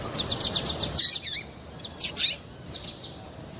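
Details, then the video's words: Female double-collared seedeater calling to stir males into singing: a rapid run of high, sharp chirps about four per second, then a few swooping, slurred notes and scattered chirps over faint background hiss. "MELHOR PIADO DE FÊMEA PARA DEIXAR SEU PAPA-CAPIM DOIDO PARA CANTAR LOGO!"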